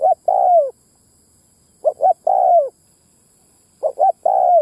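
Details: Spotted dove decoy calling to draw in wild males and females: three phrases, each two quick soft coos then a long, falling hoarse coo, repeated about every two seconds in a quiet setting.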